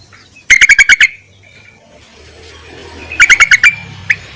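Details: Yellow-vented bulbul calling males, useful as a lure: a burst of six quick bubbly chirps, a pause, then five more and one lone chirp, over a low background rumble.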